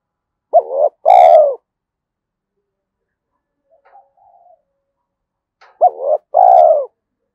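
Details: Two-part coos of a spotted dove in the 'giọng thổ' style, a voice said to suit forest luring, repeated twice about five seconds apart, with soft murmuring notes between them.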